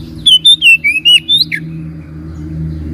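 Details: Oriental magpie-robin song as a lure to trigger singing: a short burst of six clear whistled notes, some rising, some falling, ending with a harsh note, over a faint low hum.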